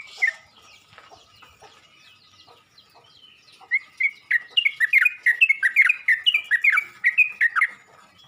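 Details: Yellow-vented bulbul calling to others of its kind; faint background chirps give way midway to a lively string of clear, bouncing notes lasting about four seconds.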